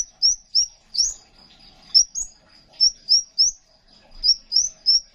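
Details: ['Crimson sunbird song, a lively master recording for teaching caged songbirds. Quick high, upward-flicking chirps come in pairs and short runs, roughly a dozen in five seconds, above a faint constant high-pitched hum.']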